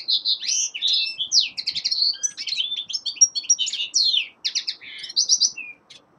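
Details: Young male common linnet singing in winter, a continuous tumbling series of high twitters, chirps and short buzzes, ending in a soft whistled note.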